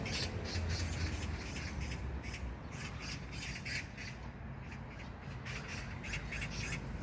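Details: Rapid, grating rattle of a magpie in an Incheon neighbourhood park, South Korea, recorded June 19, 2022. Repeated rough notes come in quick bursts over strong low-pitched background rumble.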